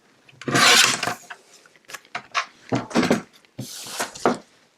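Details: Indoor rubbing, scraping and rustling bursts, like paper or card being handled on a table, come in uneven clusters, with no animal sound present.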